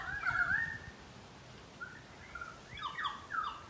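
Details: Pied currawongs calling in a Brisbane garden: a wavering, rising whistled phrase, a few short clear notes, then a run of ringing downslurred notes, over a soft background hiss.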